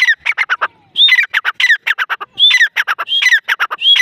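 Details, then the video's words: A grey francolin (Irani teetar) gives loud, harsh, rattling phrases, each opening with a bright falling whistled note, repeated roughly every second and a half. "Irani teetar ki awaz |grey francolin teetar sound"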